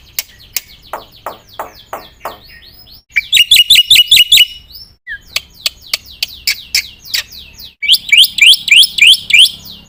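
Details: Varied Black-winged myna song used to prompt other birds to sing: scattered sharp clicks and downslurred ticks, then bursts of rapid, rising, squeaky whistled notes in quick succession.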